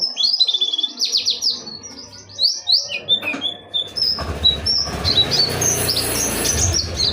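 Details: Oriental white-eye of the dakun wilis type singing in the ngerol nembak style: rapid high twittering phrases with sliding notes. From about four seconds a broad hiss and low rumble partly mask it.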